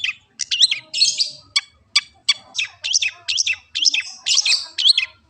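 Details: Long-tailed shrike song used to keep a kept bird singing: a rapid string of sharp high chirps and whistled up-and-down slurs, with brief buzzy bursts mixed in.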